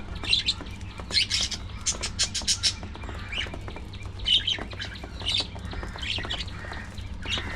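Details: Budgerigars at early morning feeding time: bursts of bright, chirping warbles and short squeaky notes in clusters, several birds overlapping, with a low steady hum beneath.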